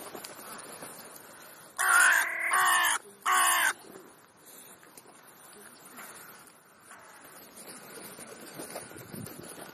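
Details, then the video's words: Crow calling while feeding between breakfast and lunch: three loud, harsh caws in quick succession near the start, the second drawn out, then only quiet background rustling. "Krähenbrunch /crow`s brunch"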